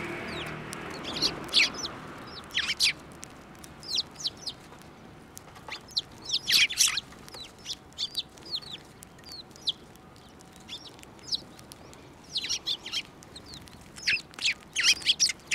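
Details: At a Tenmangu shrine on 15 March 2024, sparrows fly to a hand for food, giving clustered high chirps in irregular bursts with quiet gaps between them and some low rumbling at the start.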